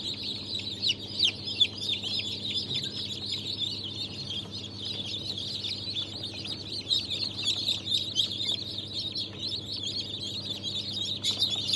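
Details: A crowd of newly hatched Brahma, Fizan, Australorp and Legbar chicks from the 3 March 2023 hatch cheeping constantly: high, bright, closely packed peeps forming a steady chatter, over a low background hum.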